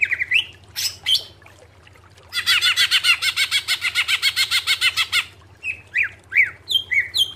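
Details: Greater green leafbird song recorded for training cage birds: a few whistled sweeps, then a long rapid harsh rattling series lasting about three seconds, followed by sharp falling whistles.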